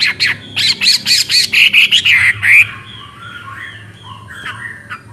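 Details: Chinese hwamei delivering a rapid run of loud, repeated ringing notes for about two and a half seconds, followed by softer, quieter whistles.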